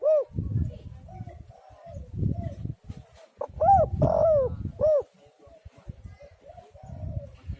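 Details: Tekukur (spotted dove) call for luring other doves: faint coos at first, then one louder phrase of arched notes mid-clip, the longer note falling away, with soft rumbling behind.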